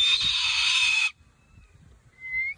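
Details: A cockatoo that lives with an eagle gives a harsh, raspy second-long screech, then a faint thin high note and a short rising whistle copied from the eagle.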